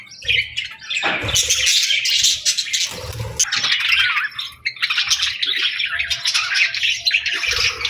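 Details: Pet budgies at feeding time fill the air with dense, overlapping warbles, squeaks and chirps, a continuous scratchy babble with a few soft low bumps underneath.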